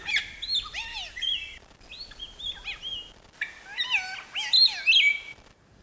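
Palm Cockatoo giving a jumble of varied whistled calls, some rising, some falling and warbling.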